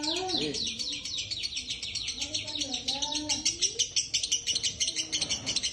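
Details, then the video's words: Caged male dun fallow lovebird sunning, singing a konslet song: rapid, dense, high-pitched chattering and buzzy chirps repeated about three times a second, with lower squeaky notes mixed in and a man's voice talking nearby. "lovebvird konslet jantan proses penjemuran"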